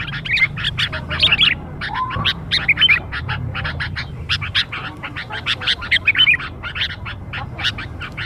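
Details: Sooty-headed bulbul lure recording of young birds: busy stream of harsh chattering and squeaky notes in quick bursts, with a brief lower slurred note midway and a steady low hum beneath.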